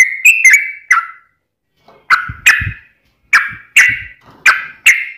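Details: Kept sooty-headed bulbul singing to prompt another bird: short loud whistled phrases in bursts separated by brief silences, each note falling slightly, with faint low scratchy sounds between phrases.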